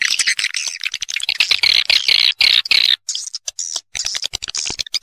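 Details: Roosting lure call of swiftlets to attract them to roost: high chittering with a buzzy trilled phrase, then the chorus breaks into choppy bursts separated by short gaps.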